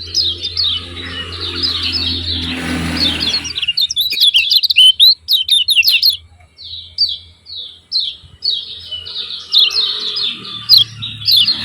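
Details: Yellow-vented bulbul uttering repeated short downslurred chips and chattering bursts over a steady low hum and background noise.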